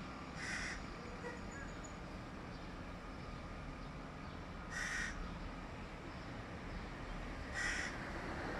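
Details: Young hooded crow begging its father for food, July 2022: three short harsh rasping calls spaced a few seconds apart over steady low background noise.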